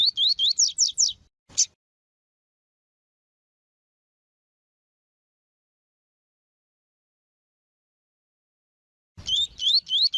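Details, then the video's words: Double-collared seedeater male, a bird of the kind bred for song tournaments, singing the tui tui song style with female calls to excite him: a quick phrase of rising whistled slurs, one sharp note, long silence, then the phrase again. "CANTO DO COLEIRO TUI TUI PERFEITO COM PIADO DE FÊMEA DE COLEIRO PARA ESQUENTAR COLEIRO TUI TUI"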